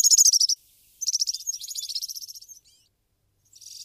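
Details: Brambling, a finch; rapid high-pitched pulsed trills in three bursts, the first short, the second longer and fading away over about a second and a half, then a pause before a final burst starts; no other sounds.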